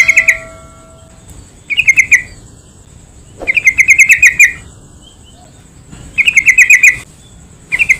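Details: Yellow-vented bulbul used as a lure to set other bulbuls singing and to tutor young birds: long bursts of rapid chattering notes, some phrases with up to ten notes, repeated with short pauses.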